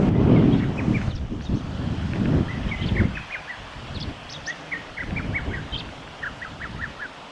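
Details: Male chestnut-eared bunting singing at the Kita-Fuji training area, Japan, on 16 June 2019: rapid series of short high chipping notes, grouped in bursts, with low rumbling wind-like noise strongest in the first three seconds.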